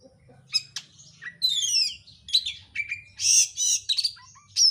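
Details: Kacer, the oriental magpie-robin, sings a rapid, packed lure song to provoke another bird: descending trill series, sharp chirps and loud harsh buzzy bursts near the end.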